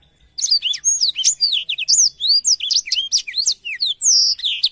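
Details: Black-throated canary (blackthroat) song used as a tutor recording for canaries: a rapid, continuous run of high, sharply sweeping whistled notes and chirps, densely packed after a brief quiet start, with no other clear sounds.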